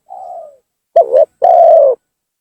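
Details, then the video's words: Spotted dove lure call meant to anger and bring down a rival: a soft falling coo, then a loud quick doubled note and a long steady coo. "suara pancingan gacor tekukur memaksa menurunkan lawan,bikin emosi lawan."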